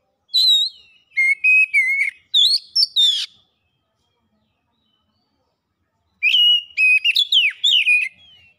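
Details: Oriental magpie-robin delivering two bursts of loud, varied song: clear whistles rising and falling, short sharp notes and rasps, with a silent gap of several seconds between them.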